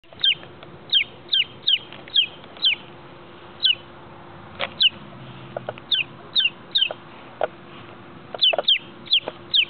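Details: Baby chick peeping: loud, high, sharply descending peeps in quick bursts, mostly in pairs and runs, with short gaps and faint background shuffling between calls.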